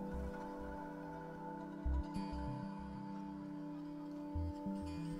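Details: Soft ambient music with sustained tones and low pulsing notes, and no animal sounds heard.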